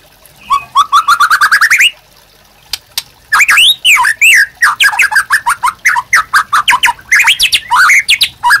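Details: White-rumped shama master song for training caged birds: a rapid series of rising whistled notes climbing in pitch, a pause, then a loud varied run of sweeping whistles, slurs and sharp chips in quick succession.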